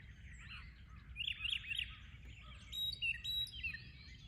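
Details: Morning birdsong with rapid chirping notes in quick runs, a few clear whistled slurs and thin high tones near the end, several birds overlapping against a faint low hum.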